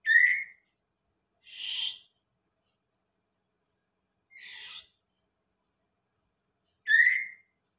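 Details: Young white-rumped shama of the blorok line with a klewer-style tail measuring 23 by 17 cm: two clear whistled notes with bright overtones, one at the start and one near the end, separated by two harsh, noisy rasping bursts, in otherwise quiet surroundings.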